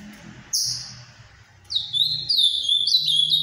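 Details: A high drawn-out note, then a flowing series of clear, slurred whistles from a captive-bred Ultramarine grosbeak singing the Paraná-style song, with low background rumble.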